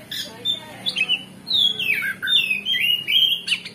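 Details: Kacer, the oriental magpie-robin, singing ngeplong-style to stir a rival's aggression: sharp chirps, then long twisting whistled phrases dipping and rising, with short pauses between, over a low background hum.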